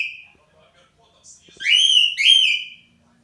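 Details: Pet cockatiel giving its morning song, used as a wake-up alarm: a brief high call, then two loud rising whistles with bright overtones, followed by a faint room murmur.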